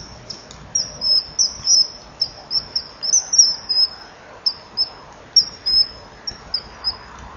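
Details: Common kingfisher at a breeding-wall camera, 24 July 2015, 19:09; a female chases off a begging juvenile before the pair mate. Shrill, thin, high whistled calls come in short bursts and drawn-out strings, about every half second, over faint background hiss.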